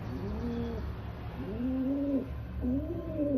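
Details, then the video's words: Rock pigeon, an Indian pigeon, giving soft guttural coos: a brief opening note, then a long rolling coo and another rising one, with low steady hum underneath. "Rock Pigeon Sound"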